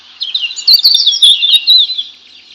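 A sparrow gives a rapid run of bright, high chirps and twittering notes, tumbling over one another for about two seconds with no other sounds.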